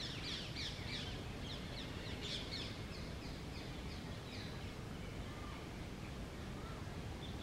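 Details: Rose-ringed parakeets eating guava on a tree give quick, harsh, high screechy notes in a rapid burst early on, then fewer and fainter, over a steady low rumble of wind.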